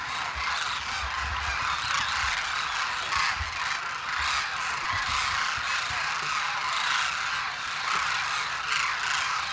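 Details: Many wild demoiselle cranes massed at Khichan in Rajasthan, where the koonj spends the winter: a steady roar of countless overlapping honking, trumpeting calls, with brief clearer notes poking through and a few low bumps early on.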